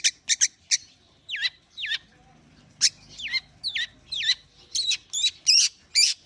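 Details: Warming up, a long-tailed shrike gives sharp clicks, then downward-swooping whistles, followed by a string of harsh, buzzy strokes that grow louder and denser toward the end.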